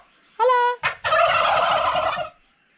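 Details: Turkey calling: a short clear harmonic note, then a long, dense rattling gobble lasting over a second, loud and close with a quiet background.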